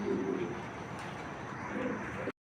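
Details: Racing pigeon kept as a pet, giving low, soft cooing notes near the start and again late in the clip over a steady, noisy background hiss.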